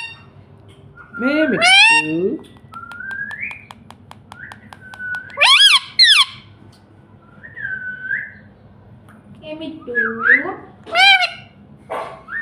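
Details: Talking pet parrot mimicking "Mummy" amid a run of rising whistles, harsh chattering bursts and squeaky syllables spread irregularly, with a person repeating "Mami" quietly in the background.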